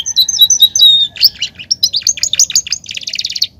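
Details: Belgian canary song used to warm up other canaries; continuous high, fast twittering with rolling trills and a rapid buzzy pulsed run near the end.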